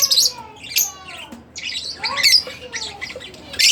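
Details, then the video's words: Pet Fischer's lovebird, split blue, uttering loud harsh squawks at the start and end, with buzzy chatter and faint sliding whistles in between. "Split Blue Fischer | lovebirds chirping | singing Sound"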